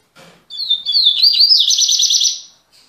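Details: Double-collared seedeater (coleiro), a caged bird returning to song after three months, gives one phrase of sliding whistled notes that speeds into a rapid, rattling high trill lasting about two seconds.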